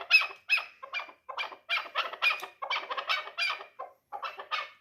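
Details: Loud, rasping chucks in quick uneven bursts come from a three-year-old hunting chukar partridge of the dulan type, calling almost continuously.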